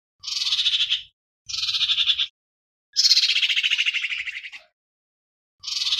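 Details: Common iora song used as a lure to call the flock: harsh, buzzy rattling bursts about a second long, the third stretched and slowly falling, separated by short silences.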